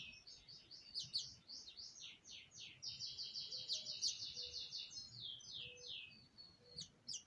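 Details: House finch nestlings about to leave the nest, 2020, give a nearly unbroken stream of high, buzzy chirps, several per second, with a few faint low tones underneath.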